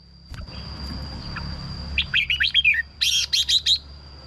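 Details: Red-whiskered bulbul song meant to rouse birds or serve as a decoy: after quiet low hum, a lively phrase of quick whistled notes followed by a loud burst of four harsh, bright warbles, with a steady high tone.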